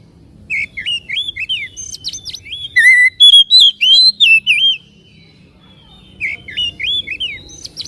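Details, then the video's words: Caged-bird provocation song of a white-rumped shama: two phrases of looping whistles and sharp chips, the first lasting about four seconds, a pause, then a shorter whistled burst near the end. "PANCINGAN SUARA KACER AGAR CEPAT EMOSI DAN BUKA EKOR"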